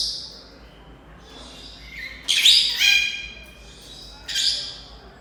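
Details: An African grey parrot, which seems to dislike the household's Senegal parrots, gives two loud, harsh, rasping squawks about two seconds apart, with softer high chirps between them in a quiet room.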